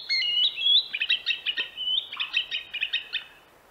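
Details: A Green Sandpiper in Central Russia gives sharp, high whistled notes in a rapid uneven series of about three per second, with a few longer ringing whistles between.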